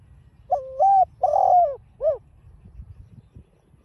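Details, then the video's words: Spotted dove in 'đồng pha' style, calling to provoke other doves. One clear phrase: a flat short coo rising into a note, a longer rich warbling coo, then a short arched closing note. "chim cu GÁY GỌI kích bổi hiệu quả giọng đồng pha"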